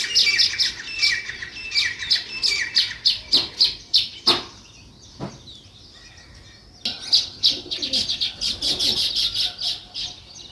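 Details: Sparrows chirping in quick bursts of high, clipped notes, a few louder sharp clicks, a brief quiet spell, then a renewed fast chatter.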